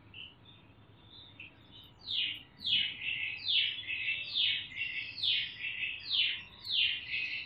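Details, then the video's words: Young Sumatran leafbird, a smaller-bodied Sumatran bird just past the spotted juvenile stage, sings loud, clear, rapid sharp descending chirps in quick bursts, about one a second, with parrot and namdur imitations mixed in. "Cucak Ijo Sumatera Ngriwik Isian NURI & NAMDUR | Burung Daun Ngriwik Kenceng"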